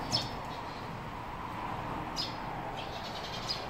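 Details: On a cloudy day, one of two Eurasian tree sparrows perched on a power line some distance away gives three short, bright chirps spaced a second or two apart, over a steady low hum of distant traffic.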